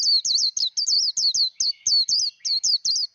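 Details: Japanese white-eye song used for voice training, a steady string of bright, high, wavering whistles, each note a quick down-up slur, delivered rapidly and evenly with short gaps throughout.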